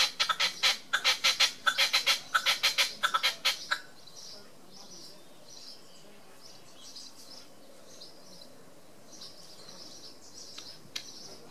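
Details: Red-legged partridge displaying on a wall in Tresco Abbey Gardens, Isles of Scilly: a rapid series of harsh, rhythmic chuffing notes for about four seconds, then faint high chirps from other birds.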